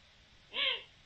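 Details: Eurasian eagle-owl, October 7, 2020: a brief harmonic call that swells and bows in pitch, heard once after near silence, with low hiss behind it.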